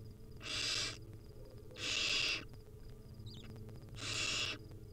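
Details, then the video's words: Wild barn owl nestlings begging while their mother feeds them tiny bits at a nest cam: three loud, harsh, hissing screeches, each about half a second long, spaced roughly a second and a half apart, over a low steady hum. "Hungry baby barn owl nestling get fed tiny bits by their Mom."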